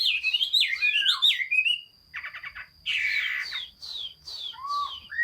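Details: Rich, varied Chinese hwamei song, 15 June 2021: looping fluid whistles, then a brief pause, a burst of rapid buzzy chatter, and further falling whistles ending in rising slurred notes.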